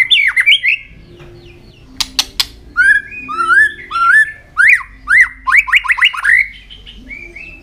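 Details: White-rumped shama song with tail-flicking, used to stir young birds up: varied whistled phrases, a burst of double clicks, then rising slurred notes repeated in quick succession.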